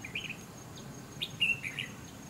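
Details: At a bulbul trap, a Red-whiskered Bulbul fanning out in display gives a few quick, bright, bubbling, slightly slurred chirpy phrases over a soft low rumble and a faint steady high hiss.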